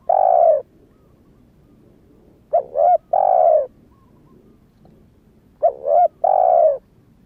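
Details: Newly calling young spotted dove, not yet moulted from wild plumage, used as a lure for wild doves. Phrases of a short double coo plus a drawn-out level coo come roughly every three seconds, with quiet gaps between.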